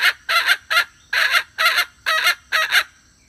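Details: Wild red junglefowl hen calling to draw in males, giving loud raspy clucks in quick pairs and single bursts, spaced irregularly with short gaps, harsh and broadband over a quiet background.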